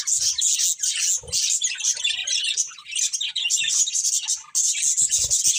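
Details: Breeding pair of budgerigars chirping continuously, a dense stream of high, scratchy warbles and chatter with brief pauses and soft low thumps.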